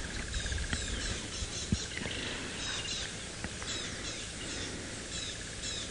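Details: Several Tawny-flanked Prinias on safari alarm-call hectically at a nearby resting leopard with quick, thin, repeated chirps and clicks overlapping, over a steady low rumble of wind or engine.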